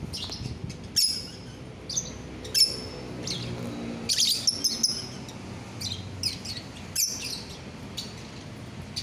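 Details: Lovebird, euwing green biola type, recorded 24 November 2021, uttering scattered short shrill tweets and squeaks at irregular intervals over a quiet background hum.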